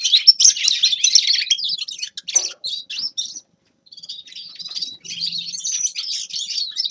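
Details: A grey-crowned goldfinch sings a busy, tinkling twitter of fast chirps and buzzy trills, pauses briefly for about half a second midway, then resumes with a similar jangling, warbling phrase.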